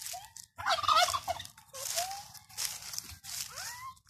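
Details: Kept domestic turkeys alternate loud bubbling gobble bursts with thin, upward-sliding whistled yelps, several in about four seconds, over a low background rumble.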